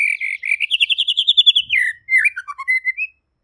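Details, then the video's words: White-rumped shama singing clearly: a fast run of repeated rich whistled notes climbing slightly in pitch, then a mix of downward-slurred whistles and short chirps ending on a rising note. "MURAI PASTOR | GACOR DAN JERNIH"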